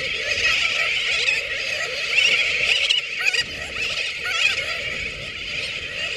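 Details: Sooty terns recorded at Johnston Atoll on June 19, 2001: a dense, continuous chorus of many overlapping harsh, nasal calls, each short and wavering, with no clear pauses or other sounds.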